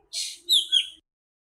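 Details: Nightingale song phrase: a short hissing rasp followed by two bright, slurred whistled notes dropping slightly in pitch, the whole phrase lasting under a second in clean, quiet surroundings.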